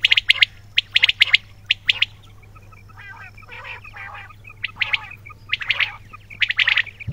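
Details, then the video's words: Quails give sharp, high, clipped chirps in rapid pairs and triplets, a softer buzzy chatter in the middle, then renewed loud squeaky bursts, all over a constant low electrical hum. "بٹیروں کی آواز"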